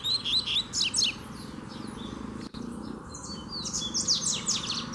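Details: Free double-collared seedeater provoking a caged rival: quick runs of sharp, high, down-slurred chirps in brief phrases, a pause mid-way, then another lively burst over low background noise.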